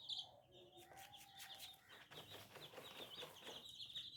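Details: Baby chicks twitter in shrill, rapidly repeated peeps that slide downward, joined early on by a steadier, lower whistled note and later by a scatter of clicking sounds.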